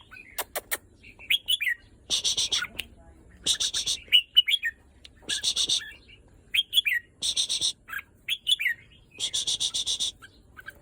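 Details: Red-whiskered bulbul singing after several days pent up: short warbled whistle phrases alternate with loud rasping, buzzy rattles that recur every second or two.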